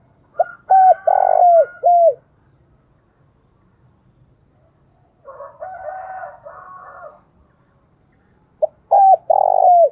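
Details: Spotted dove decoy calling: two of its phrases, each a pip, a coo, a long buzzy coo and a bent closing coo. Between them another bird gives a long, softer, harmonic, wavering call. Faint hum throughout.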